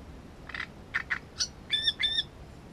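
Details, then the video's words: Great reed warbler filmed at its nest, singing a harsh, croaking phrase: several grating, rasping notes, then two louder buzzy notes topped by bright whistled overtones, over a low steady hiss. "Камышовка дроздовидная"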